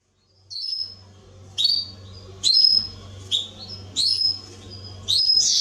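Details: Atlantic canary singing in a recording meant for training young birds: short bright whistled notes and clipped phrases at intervals, separated by pauses, over a low steady hum.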